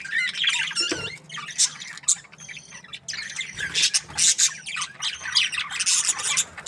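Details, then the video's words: Budgies chirping in the morning, here sparser: separate squawky chirps and short warbled phrases with gaps between bursts and a soft background hiss. "Amazing budgies chirping sounds in the morning"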